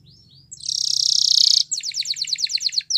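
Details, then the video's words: Loud rolling canary trill held for about a second, followed by a string of rapid bright pulsed notes; soft low rumbling in the background. "Canary Bird Sounds | Melodies Canary Singing"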